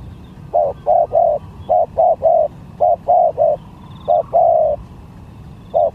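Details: Lure-contest spotted dove cooing in repeated triplets of soft, hollow notes, a drawn-out final coo closing several phrases, with low background rumble.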